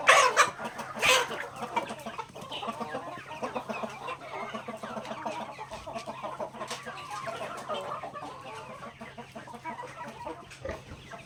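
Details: Backyard native chickens feeding on grains: a flock chatters with repeated clucks about once a second, opening with two loud harsh squawks before settling into a steady murmur of overlapping clucking and pecking noises.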